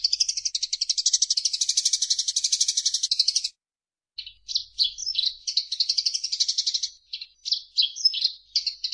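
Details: Eurasian tree sparrow chattering briskly in 'gacor' style, a training recording for songbirds: a steady buzzy rattle for over three seconds, a short silence, then irregular chirps and bursts of trilling.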